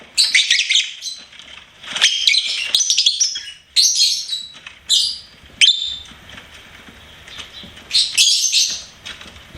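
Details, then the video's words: Singing pet lovebird delivers long bouts of scratchy, buzzy chatter broken by short pauses, mixing harsh squeals with higher squeaky notes. "LOVEBIRD SINGING & CHIRPING SOUNDS"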